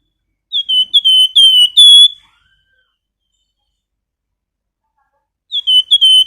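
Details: Flamboyan bird singing actively and whistling, meant as master material for teaching songbirds: a run of high, clean whistles ending on a brighter sustained note. After a long silence the phrase starts again.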